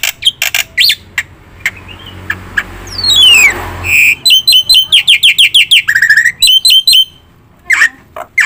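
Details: Black-winged myna singing energetically, used as a lure and master recording to trigger other birds: sharp clicks and a long falling whistle, then rapid ringing repeated notes, a buzzy phrase and scattered high chirps.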